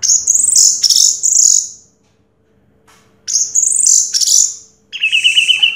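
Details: Prize-winning orange-headed thrush, first place in a 2022 contest, giving high bright warbled phrases in two bursts separated by a silent pause, then a quick trilled ending.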